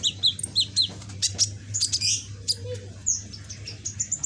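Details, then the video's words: Young pet sunbird, red-backed and greenish, learning its song pattern: paired high whistled slurs, then tumbling squeaky chips and a brief downward whistle, with a low steady hum beneath. "Burung Kolibri ninja punggung merah ijoan gacor"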